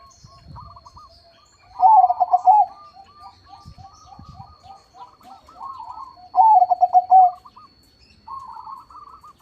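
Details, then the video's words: Zebra dove of crossbred perkutut stock, said to sing often with a big voice: two loud pulsed cooing phrases about four and a half seconds apart, each a quick rolling series of low notes, with many quieter doves cooing around them. "PERKUTUT CROSSING GACOR SUARA BESAR"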